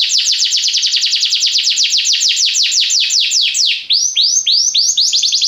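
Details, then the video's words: Belgian canary singing a fast trill of rapid downward-sweeping notes, many per second, which breaks about two-thirds through into a slower series of wider, clearly separated falling sweeps; no other sounds. "Canários belgas atraem o som das canções preguiçosas dos canários"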